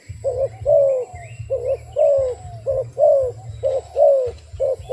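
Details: Wild dove calling in repeated couplets of soft, mid-pitched coos, the second note longer and sliding downward. A low steady hum runs throughout, with faint higher chirps.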